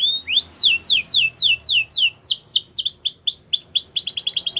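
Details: Belgian canary song for training young birds: a run of loud rising whistles that quickens into downswept notes and ends with a rapid buzzy stutter.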